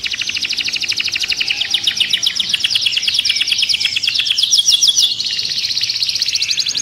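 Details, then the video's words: Agitated caged canary delivers a continuous fast trill of tightly repeated high notes, shifting pitch and speed, rolling on without a break. "كناري هائج داخل القفص A raging canary in the cage"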